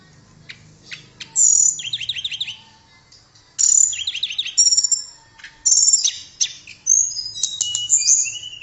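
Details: Blue flycatcher (tledekan) song: melodious high clear whistles and sharp slurred notes, with a lower buzzy trill, delivered in three separate bursts split by short pauses.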